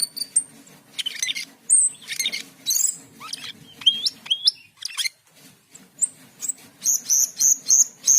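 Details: Asian pied starling (cucak keling) in busy song: harsh bursts, sharp rising and falling whistles, then a fast repeated series of high whistled notes at the end, over a low hum.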